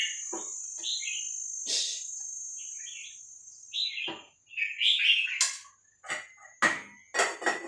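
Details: Vietnamese-style Red-whiskered Bulbul song played to teach and excite birds: chirpy slurred phrases mixed with sharp broadband rattles and clicks, a constant high whine in the background.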